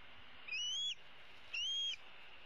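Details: Female bald eagle eaglet from 2016, calling from a tree roost for her parents to bring food, mid-April: two clear, high whistled calls, each rising then dipping at the end, about a second apart.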